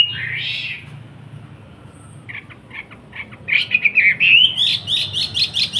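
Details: Wambi kept in Surabaya, sung as a master lesson for bulbul chicks. A brief buzzy phrase, a quiet gap, then soft clicks building into loud, fast repeated whistled notes and trills.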